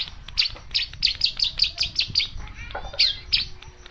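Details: Long-tailed shrike singing a fast series of sharp, bright chirps repeated about six times a second, then a brief pause with a lower squeaky note before two more piercing chirps.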